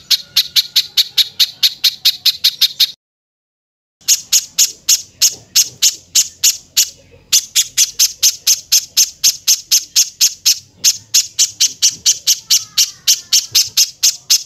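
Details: Rapid harsh high bird notes from a 'tembakan kasar' tutor compilation for cage songbirds, repeated about three per second in long runs with brief gaps, plus faint thin whistles near the end.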